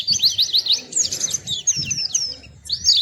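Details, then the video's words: Sweet high twittering song of a small white-eye, swooping whistled notes in quick succession, with a low background rumble and faint murmur beneath. "Burung Kecil Pleci Bersuara Merdu"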